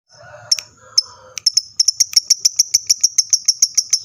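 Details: Lovebird sound used to prompt other lovebirds to answer and sing. A few scattered sharp chirps open, then a fast, steady series of high, piercing ticks repeated several times a second, with a faint low hum beneath.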